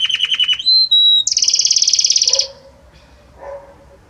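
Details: Belgian canary singing: pulsed notes, a clear level whistle, then a loud fast buzzy trill that stops abruptly, followed by faint quiet sounds.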